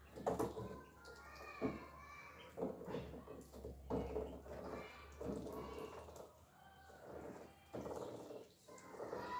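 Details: Three young ducks playing and eating make soft, irregular calls with wavering, rising and falling notes, less than once a second, over a low background hum.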